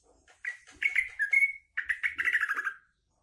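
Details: A green leafbird trained to include trucuk-style fill notes gives two quick bubbly, chattering phrases of mid-pitched notes, the second sliding slightly downward, in a bulbul-like style.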